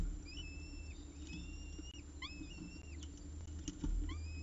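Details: Peregrine falcon at the CSU Orange nest on 14 October 2019, about 6:54 pm, with its final prey of the day: four drawn-out, level harmonic wails, each opening with a quick upward sweep, over steady low hum.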